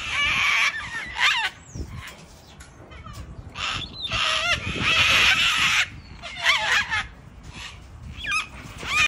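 Sulphur-crested cockatoos screech harshly and loudly, several birds overlapping in raucous bursts every second or so, with rasping squawks and grating shrieks.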